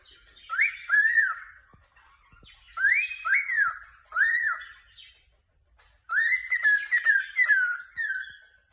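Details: A cockatiel chirps happily in clustered pairs of arched, whistled notes, each rising then dropping, delivered in four bursts with pauses between, clean background.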